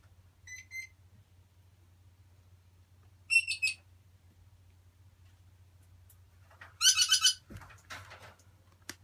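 Grey parrot chicks give three short bursts of harsh, buzzy calls, one faint and then two louder, about three seconds apart over a low indoor hum.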